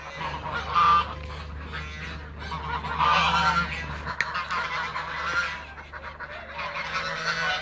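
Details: Backyard flock of Toulouse geese, feeding and taking flight; bursts of loud nasal honking around the first, third and last seconds, quieter gabbling between, and a low steady hum.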